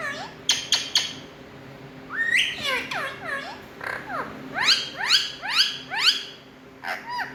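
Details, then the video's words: Indian ringneck parrots, called talking birds, start with a few sharp clicks, then run into slurred squawks and a rhythmic series of rising-falling chirps, roughly two a second. "My Best🥀Talking Running🍃Indian Parrots"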